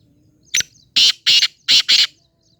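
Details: Black francolin utters a short click followed by four loud, harsh, scratchy rasping notes delivered in a quick uneven rhythm.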